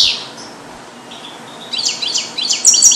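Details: Song-trained captive European goldfinch, born 2022 and taught Neapolitan passages, held in a small carrier; a short high note opens, then quiet, then four quick repeated chevron-like twitters near the end.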